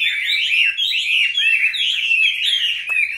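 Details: Captive Chinese hwamei, in its fifth year after being taken young from the wild, gives a loud, ringing run of wavering whistles and quick slurs, ending with a couple of short clicks.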